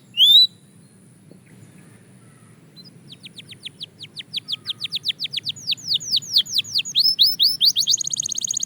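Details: Belgian canary singing in a training routine: one sharp opening note, a short pause, then a long crescendo of quick descending notes that grows louder and ends in a fine rapid trill.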